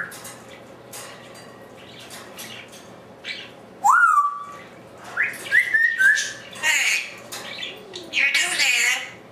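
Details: Talkative African Grey parrot kept indoors, chattering alone with the room empty: quiet muttering at first, then a loud swooping whistle, rising slurred whistles, harsh squawks and speech-like babble in quick succession, over a low steady hum.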